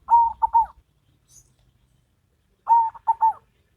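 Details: A local zebra dove and a crossbred one in duet; a short phrase of three clear, rippling coos, a silent pause, then the same three-part phrase repeated.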